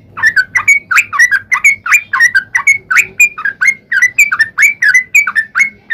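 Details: Sooty-headed bulbul song used to lure other bulbuls into singing: a continuous run of bubbly, liquid two-part phrases, each dipping then rising, repeated roughly three times per second.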